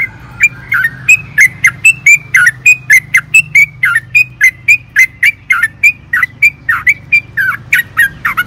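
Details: Sooty-headed bulbul in fast 'ropel panjang' song, meant to spur caged birds into singing: an unbroken stream of clear, slurred whistle notes, roughly four each second, with a steady low background hum.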